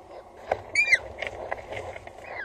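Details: Peregrine falcon chick, nest at Axel Tower, Netherlands, 14 April 2019 evening: one clear, louder arched squeal sliding downward, with scattered faint clicks and a weaker call near the end.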